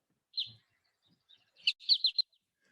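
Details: American goldfinch flight calls in winter, given while flying: thin, high, slurred notes, one alone, then a quick run of three or four in a bouncy 'po-ta-to-chip' rhythm.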